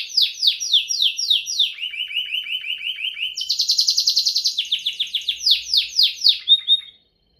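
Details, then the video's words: Continuous Timbrado canary song built from trilled runs of downward-sliding notes: a high series, a lower steady roll, a higher buzzy section, then slower slurs before it stops. "Timbrado Canary"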